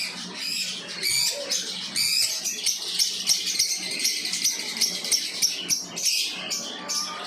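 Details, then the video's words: Lovebirds chirping: dense, continuous high-pitched chatter of rapid squeaky notes and short chirps, several birds overlapping throughout with no pauses. "Beautiful Love birds 💙chirping sound"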